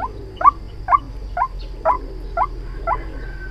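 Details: White-breasted waterhen lure recording used for trapping: seven short rising nasal notes, each swept upward, repeated about every half second over a low steady hum.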